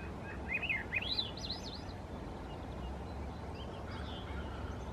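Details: Swainson's thrush singing in the Squamish River estuary: a rising spiral of fluting, looping whistled phrases climbing upward over about a second and a half, followed by a faint echo-like tail, with steady low environmental rumble beneath.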